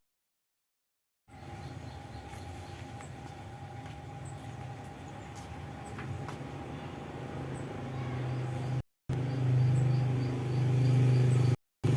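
Steady low mechanical rumble like a passing train or vehicle, with a constant hum, brief dropouts and no animal voices.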